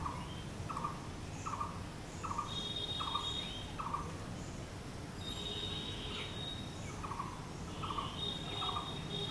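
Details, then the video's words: Blue-throated barbet (bosonto bouri) repeating short medium-pitched notes in two bursts separated by a pause, while other birds add high buzzy trills and chirps over low background noise. "BLUE THROATED BARBET | BOSONTO BOURI"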